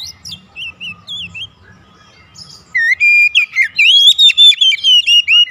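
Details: Home-kept Oriental magpie-robin in daily training, singing actively in loud 'gacor' style: soft scattered notes at first, then a fast run of loud, clear whistled phrases, rising and falling, in quick succession.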